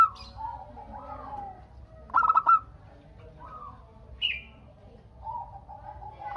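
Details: Zebra dove, a local perkutut in full voice, singing to provoke answering calls from other doves; a single trilled coo burst among softer coos, with a brief higher chirp from another bird.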